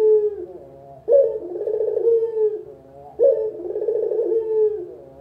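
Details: Local spotted dove used as a lure for trapping, giving deep, rolling coos: each phrase starts with a sharp low note, then a burbling, slightly descending coo lasting about a second and a half, repeated roughly every two seconds.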